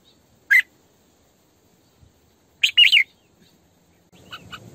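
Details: Decoy female red-whiskered bulbul singing in the 'sổ bọng căng' style: a single sharp whistled note, a pause, then a quick rolling three-part warbled phrase, followed by softer chirps under low background noise.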